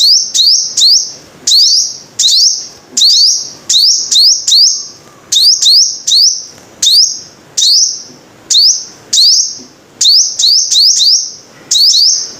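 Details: Long run of five-coloured sunbird song: rapid, high, ringing phrases, each a rising sweep and sustained thin whistle. Some are doubled quickly, and they come in an even stream of about twenty bursts.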